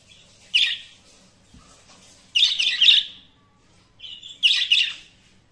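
Budgerigar warbling in bright, chattery bursts of high, scratchy chirps.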